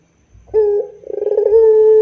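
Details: Brief puter pelung phrase from a Barbary dove: a short low coo, then a burst of rapid trembling pulses swelling into a long level hoot that is still ringing when the clip ends.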